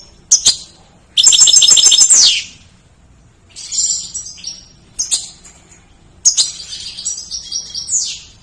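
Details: Goldfinch song used as a tutor recording for training other songbirds: bursts of bright, high twittering and trilled phrases with buzzy runs, separated by short pauses, over a quiet low background hum.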